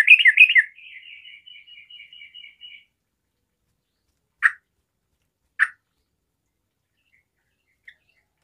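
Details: Sooty-headed bulbul in full lively song, meant to make other bulbuls sing along: a bubbly burst of mid-pitched notes, then a fading series of rapid repeated notes, followed by two short isolated sharp notes and silence.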